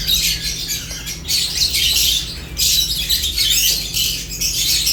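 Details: Several lovebirds eating while chirping, a dense overlapping chatter of shrill, squawky high chirps in bursts with brief lulls, over a steady low hum.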